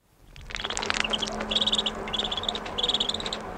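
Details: Common shelduck ducklings calling close-up, with distant sheep and a mushy background; thin, high peeping notes come in rapid clusters of four to six, repeated about every half second over a steady low hiss.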